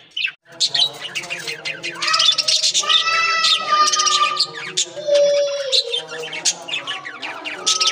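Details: Several budgerigars in a breeding colony chatter together in a rapid, warbling stream of chirps, squeaks and harsh squawks.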